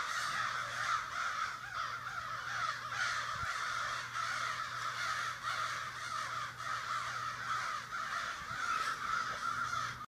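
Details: Neighborhood crows make a racket during a morning gathering in a Sudbury backyard, a long, unbroken chorus of overlapping harsh caws from many birds over a faint low hum.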